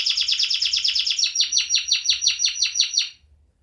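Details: Caged canary giving a rapid series of repeated down-slurred chirps, about four per second, shifting slightly higher midway and ending abruptly after three seconds into quiet.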